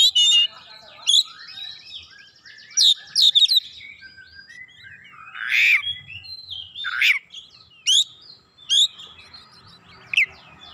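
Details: Oriental magpie-robin, likely caged, answering with a mix of sweet whistles, chattering trills and scratchy notes, loud phrases spaced every second or two over a faint background hum.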